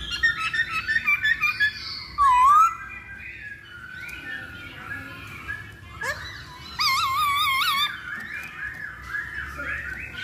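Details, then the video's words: Loud masked laughingthrush song used to coax birds into singing: quick repeated chattering notes, then a swooping whistle, and later a strong warbling, wavering phrase with rich overtones, between quieter slurred whistles. "Pancingan Poksay Hongkong Paling Ampuh"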